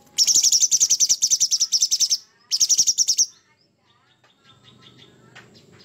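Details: Sooty-headed bulbul giving rough 'materi kasar' material: a two-second harsh rattle of rapid high pulses, a shorter repeat, then a quieter tail with faint chirps and low background hum.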